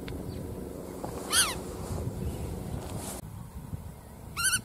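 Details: Calls of a black-tailed godwit, short rapid strings of nasal, slightly rising-falling notes heard twice, several seconds apart, with a continuous low rumbling background and a brief rustle between calls.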